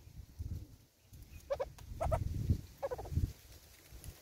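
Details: Southern red-billed hornbill at a South African bird feeder: paired and tripled clucks repeated roughly every half second to second, over low rumbling and thumping background noise.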